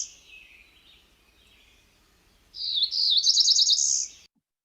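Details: Cerulean Warbler song from northern Virginia, where it is uncommon: a high, buzzy phrase of rapid rising trills, fuzzy and rough, ending in a higher buzz, after some faint earlier buzzy notes.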